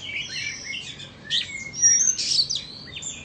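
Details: Two Oriental magpie-robins, one from Vietnam and one from Indonesia, matched in a singing contest, giving high clear whistles, slurred glides and scratchy chattering notes in an uneven, lively stream.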